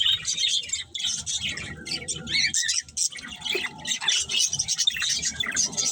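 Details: Breeding pair of budgerigars giving continuous busy chatter, a mix of rapid twittering chirps and harsh squeaks with short pauses, over a faint low background rumble.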